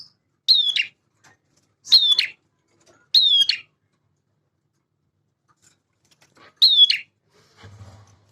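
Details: Male bar-winged prinia delivering loud, short high whistled-and-buzzy phrases, three close together then one more after a long quiet gap, with a faint low rumble at the end.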